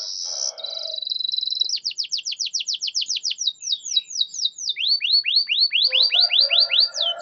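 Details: Canary song to prompt a non-singing bird: a high steady whistle and buzzy roll, then a long accelerating series of sharp downswept notes turning into rising whistles, with soft lower chatter.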